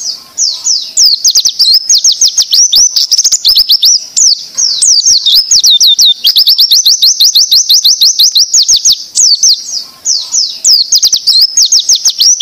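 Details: Oriental white-eye song in the fast 'tembakan' style, used to train other white-eyes: long runs of sharp, high, slurred whistles delivered in quick bursts, rising and falling, with brief pauses between phrases.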